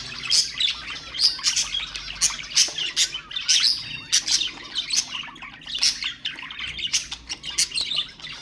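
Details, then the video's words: Budgerigar song played to stimulate other birds: dense, rapid chirps and twittering warble in quick bursts, high and bright, going on without pause through the whole stretch. "اقوى أصوات طيور البادجي طيور الزينة أصوات تحفيز الطيور"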